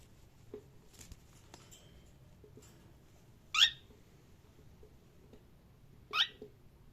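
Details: Cockatiel chirping: two sharp, loud, harsh chirps a few seconds apart against a quiet indoor background with soft faint clicks.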